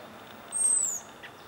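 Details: Hawk alarm of an American robin watching the sky from a perch in Guerneville, Sonoma County, California, on April 22, 2020, after a raven passed overhead: a single piercing, high, thin whistle that drifts gently downward, lasting under half a second.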